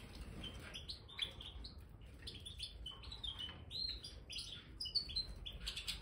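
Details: Several caged Major European goldfinches, including colour mutations, in an aviary with freshly spread bird sand: faint, scattered twittering and tinkling high notes throughout, over steady low background rumble.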